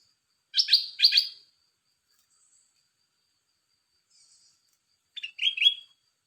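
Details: Red-whiskered bulbul song phrase: two strong, bright chirped notes in fast succession, a pause with faint high traces, then a warbled, rising-and-falling two-part phrase; no other sounds.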